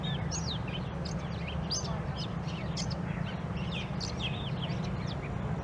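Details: Long-tailed shrike: a varied run of short whistled and scratchy notes, rising and falling, delivered in quick succession against a steady rumble of background noise.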